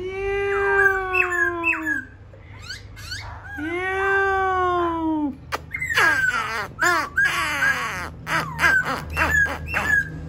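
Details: Laughingthrush giving long, harmonic, moaning glides that bend up and down, then an energetic burst of loud, rapid whistled notes and harsh clicks.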